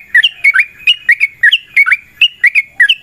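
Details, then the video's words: Yellow-vented bulbul in lively fighting form, a long rapid 'ropel' song used as a lure to prompt other bulbuls to answer: short bubbly whistled notes near two to three kilohertz, rising and falling, about three per second. "TRUCUKAN GACOR TARUNG ROPEL PANJANG Pancingan trucukan Agar Bunyi"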